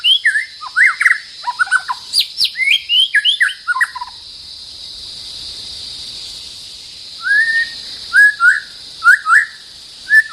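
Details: Territorial white-rumped shama facing a rival delivers a varied burst of quick whistles and chirps, pauses for about three seconds, then resumes with rising whistled notes spaced roughly half a second apart.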